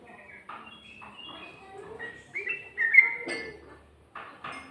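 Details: Song of a yellow-vented bulbul, recorded in 2020 and described as ngikluk with a ngGARUDA part: short whistled notes and chirps, building to a louder slurred phrase near the middle, then brief scattered notes.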